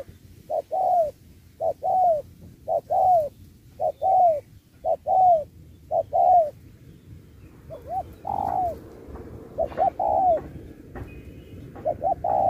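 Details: Spotted dove at a 2024 singing contest, 'Thúc' style with 'Bo', switching phrases like a wild bird: regular short-long coo pairs, then overlapping coos from other doves and brief sharp clicks toward the end.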